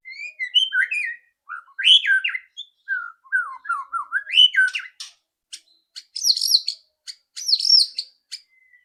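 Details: White-rumped shama loud rattling song, used to prompt another bird to sing quickly: varied whistled phrases sweeping between low and mid pitch, followed by sharp clicks and dense high rattling trills.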